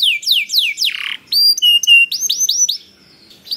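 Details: Canary song meant to set off other canaries: a few high falling sweeps, a short buzzy note, separated pure whistles, then a run of quick looping notes that fades into quiet.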